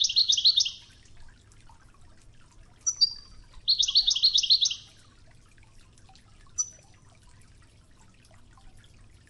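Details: Wedani-style European goldfinch song recorded for teaching young goldfinches, with flowing river water sounds: two short bursts of quick, bright twittering trills about three seconds apart, separated by thin single chirps, over a soft steady water murmur.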